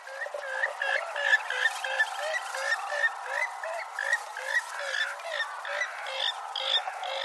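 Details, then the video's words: Purple swamphens give harsh, nasal, croaking notes in a rapid, uneven chatter, about three per second, with several birds overlapping. "Sultan toyuqu sesi"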